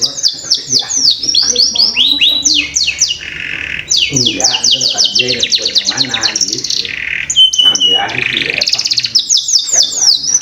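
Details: Canary lure song meant to prompt young birds to start singing: dense run of rapid swept notes with rolling buzzy trills and sustained whistles, some low background sound underneath.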